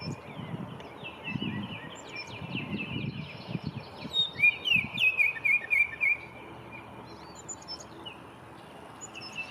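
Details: A male Baltimore oriole at a local park on a spring morning sings a quick run of clear, whistled chirps midway through, over soft low background music and faint outdoor noise.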